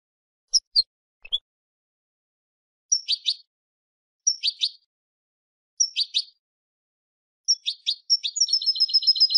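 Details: European goldfinch, a bird kept in the Spanish silvestrismo tradition. Short bright twittering phrases, high and chirpy, come in bursts about every one and a half seconds, ending in a rapid buzzy trill; background otherwise silent.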